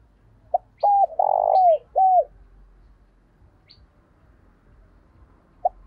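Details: Spotted dove used as a decoy, calling to attract wild birds. One low phrase: a brief note, a hooted coo, a rough buzzy middle note, then a dropping coo. A long quiet pause follows, then a single short note.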